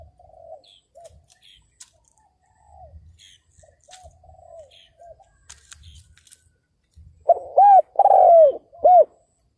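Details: Decoy spotted dove calling to lure wild males, 2022. Faint, distant low coos for several seconds, then a sudden loud close phrase of four throaty notes with a long falling centre note.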